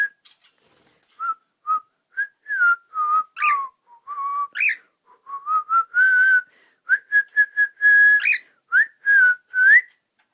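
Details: A pet cockatiel practising a small bird's song gives a long run of clear whistled notes, held tones and rising slurs with occasional sharp upward chirps, pausing briefly between phrases.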